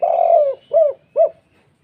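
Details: Spotted dove with a big, thick voice in the 'kuk 2' calling style used to stir other doves: one long, steady, slightly falling coo followed by two short arched notes, then quiet.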